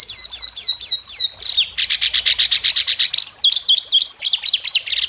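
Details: Contest singing of a white-rumped shama in Indonesia before judges: five sweeping downslurred whistles, a fast harsh rattling series, then quick repeated looping whistled chirps.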